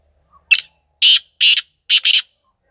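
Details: Black francolin (kala teetar) calling: a harsh, grating run of five rasping notes, one short note, then two longer ones, then a quick closing double, in otherwise quiet surroundings.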